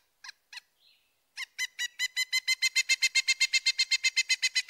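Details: Pileated Woodpecker call, louder than the flicker's and rendered as kiki: two separate sharp notes, then a rapid run of loud ringing notes that quickens to about four per second.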